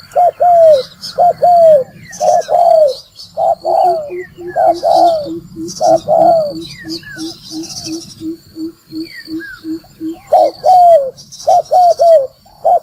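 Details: Spotted dove calls used to lure birds into traps: repeated loud coo phrases with a falling final note, while a quick steady train of short low notes runs underneath through the middle, and faint high bird calls sound.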